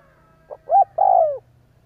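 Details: A single spotted dove phrase from a lure recording meant to set doves cooing: a faint soft note, a short clipped coo, then a long coo that slides downward and fades.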